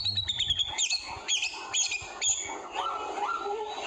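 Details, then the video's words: Speckled young white-rumped shama in forest, singing a varied string of clear whistles: sharp high notes that slide up and down, then lower rising and level whistled phrases, with faint background chatter. "Suara burung di hutan trotol murai batu"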